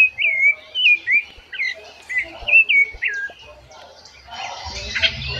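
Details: Rufous-bellied thrush singing its melodious song in the breeding season: clear whistled phrases of short slurred, rising-and-falling notes, about one per second, followed by a quieter stretch with soft rustling and low background noise.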